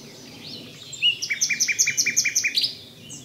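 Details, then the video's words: Common nightingale singing: a few thin rising whistles, then a crisp series of about eleven rapid, evenly repeated notes, each with a high and a lower part, fading out at the end. "Zingende nachtegaal"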